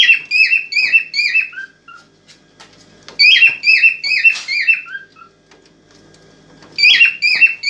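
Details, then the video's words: Excited cockatiel singing to stimulate a female for mating: bursts of about five whistled, slightly falling notes in quick succession, each burst separated by pauses of a second or more, with faint knocks in between. "اجمل واقوى تغريد كوكتيل هائج لنحفيز الانثى على التزاوج"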